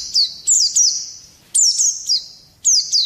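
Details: Oriental white-eye giving short, high, sharp bursts of twittering, each ending in a fading thin trill, about three bursts in three seconds, sung to provoke other birds.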